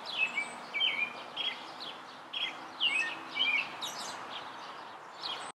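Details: Song of an American robin perched in a tree: a string of bright, warbled whistled phrases, each a few quick slurred notes, repeated at a steady pace against faint background noise.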